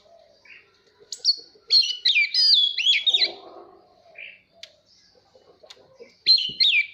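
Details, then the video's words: Oriental magpie-robin song used to train young birds' voices and spur competitive singing: loud, rich whistled phrases with fast slurred and twisting notes, interspersed with brief chips and pauses, over a faint low murmur. "Chòe than hót /kích chim hót đấu /luyện giọng chim non"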